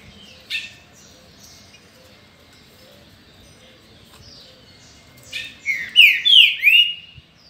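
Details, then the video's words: Green-winged saltator in its 2019 season. The bird is kept by an owner. After quiet with soft chirps from other birds, it delivers a burst of three or four bold, falling whistled notes near the end. "Trinca Ferro ou Pixarro"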